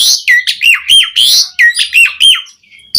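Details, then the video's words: Varied Asian pied starling song used as a master recording for training captive starlings: rapid series of loud, sweeping whistled notes with harsh chattering overtones, about eight phrases in quick succession, then a brief pause. "Suara Jalak Suren Gacor Full Isian Variasi Buat MASTERAN & PANCINGAN Burung Jalak Agar Gacor Isian"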